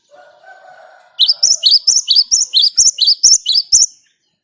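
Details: Rolling gacor song of a Great tit, played as a lure to set other birds singing. A lower, drawn-out tonal sound opens the clip, then a steady run of about fourteen bright, high two-note chirps repeats rapidly.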